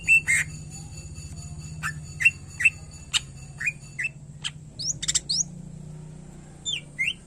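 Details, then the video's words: Cucak ijo, the greater green leafbird, in gacor singing: spaced short squawky chirps every half second or so, then a brief cluster of high whistled slurs and a few scattered sharp notes, with a faint low background hum. "Cucak Ijo Gacor"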